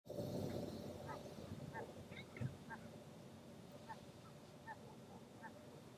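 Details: Hundreds or thousands of Franklin's gulls landing on a shoreline on 1 November at 8:07 am, shortly after sunrise, give short, nasal, mewing notes scattered every half-second or so, several birds overlapping, over a steady low rumble.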